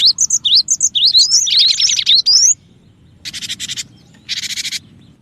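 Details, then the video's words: Cinereous tit singing, used as a lure for other birds: quick varied high whistled notes run into a rapid warbling stretch. After a pause come two harsh rasping bursts of noisy chatter. Low background hum. "suara pikat Burung gelatik batu gacor dan cocok juga buat pancingan gelatik batu yg susah bunyi"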